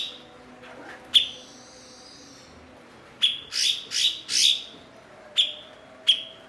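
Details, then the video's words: Cucak cungkok (blue-winged leafbird), a skilled mimic kept as a tutor bird for other songbirds, gives loud high downward-sweeping chirps, first single, then a rapid burst of four, then two more spaced notes, with a faint thin whistle early on. "MASTERAN BURUNG BERKICAU "CUKOK""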